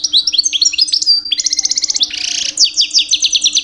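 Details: Two-year-old European goldfinch male in mating season, singing loudly to attract females: quick liquid twitters, a rattling series of notes, a short harsh buzz, then clear ringing tones; faint constant hum.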